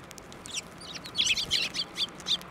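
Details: Sparrows at Tenmangu shrine on 15 March 2024, flying onto a hand to be fed, give a busy run of short, bright chirps and twitters, several overlapping in quick succession over a steady low outdoor hum.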